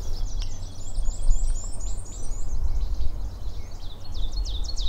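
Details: Least Flycatcher at Sax-Zim Bog, northern Minnesota, early morning of May 19, 2020, in a woods patch with migrants, gives quick runs of sharp, high, upslurred chips, about a dozen, then more after a pause, over a steady low rumble.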